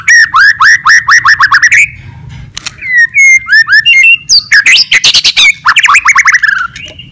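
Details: White-rumped shama song meant to provoke other birds, varied and loud: a fast run of repeated rising whistled notes, then a pause, then sharp whistles, dense harsh bursts and a falling series of slurred notes.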